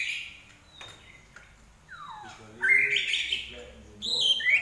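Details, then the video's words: Common iora in full song: a quiet high whistled note, then a long descending slurred whistle, followed by louder bursts of bright, buzzy high notes and a short twittered ending. "larwo Gacor"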